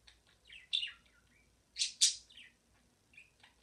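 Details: A pet budgerigar singing indoors: short bright chirps and quick, sliding squeaky notes in irregular bursts, with two loud, harsh chattering notes near the middle, set against a quiet room.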